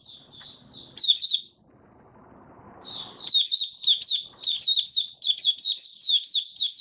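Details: High, rapid warbling from a male white-eye settling into form with open singing, 8 January 2022; a short phrase, a brief pause with faint rustling, then a longer stream of quick, bright chirps.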